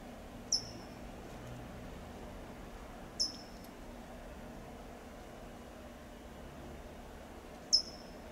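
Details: California towhee giving three sharp, high, thin tsip calls in Del Monte Forest, California, spaced unevenly a few seconds apart, over a soft low background hum.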